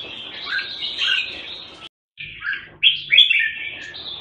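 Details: Singapore jambul, the red-whiskered bulbul, warbling a steady chirpy phrase, a moment of silence, then brighter, louder slurred notes and a short whistle.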